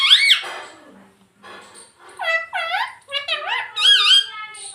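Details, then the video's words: Rose-ringed parakeet, a pet talking parrot indoors that says mummy, papa and mitthu: a bright arching squawk, softer murmured sounds, then a quick series of bowed harmonic notes rising and dipping in pitch. "Mummy Papa Bolunga || Talking Parrot || Mitthu Mitthu"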